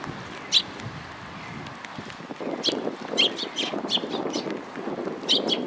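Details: Afternoon sparrows at Mizukami Bridge, 31 March 2022, utter brief piercing chirps, singly and in quick pairs, against rumbling wind or traffic noise.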